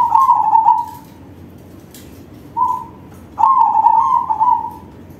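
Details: Singing crossbred zebra dove with a big voice: a rolling trilled coo, a short soft note, then another long, rippling phrase that levels off into a sustained tone.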